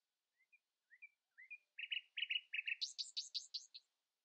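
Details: Dawn song of a common nightingale outsinging others: soft, rising chirps grow into a run of buzzy, stuttered notes, then a fast, high, rattling series near the end.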